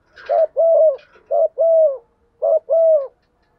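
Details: Spotted dove, a decoy bird calling the flock in the morning: three evenly spaced phrases, each a short coo followed by a longer level coo, about one per second, over a quiet background.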